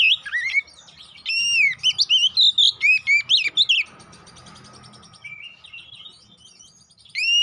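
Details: Oriental magpie-robin singing as a fighting lure: rapid series of bright whistled and sweeping notes, a pause with soft background chatter, then a loud phrase resumes at the end.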